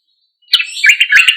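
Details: Sooty-headed bulbul singing loudly, used as a lure to make silent bulbuls respond: after a brief quiet start, a dense run of bright, rolling, bubbly notes that rise and fall quickly.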